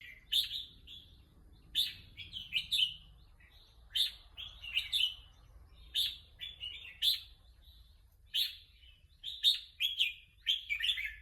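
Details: Red-whiskered bulbul described as eager to compete, singing repeated short bright whistled and warbled phrases about once a second, each with sharp upper accents, over a quiet low hum.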